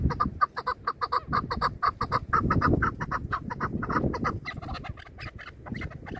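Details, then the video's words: Chukar partridges kept for hunting, calling in a contest: rapid, repeated clucking notes, about five a second, with a steady rhythm over a low rumble of background noise. "Бахси Кабкои шикори Кабк Keklik که و Partridge Chukar"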